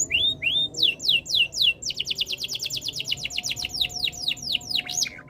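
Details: Canary song: a couple of rising whistles, then down-swept notes that accelerate into a rapid rolling trill of repeated sweeps, slowing again toward the end.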